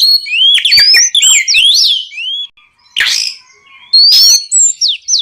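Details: Oriental magpie-robin in full night song meant to draw rival birds into singing back; rapid clear whistles sweeping up and down, rich warbled phrases, a harsh rasping note, then more bright rising whistles.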